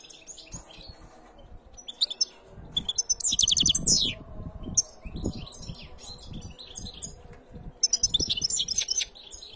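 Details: A singing canary delivers varied high twittering phrases: a loud, rapid trilled run near the start, then chattering bursts and sweeping notes, with pauses between phrases and low background rumble.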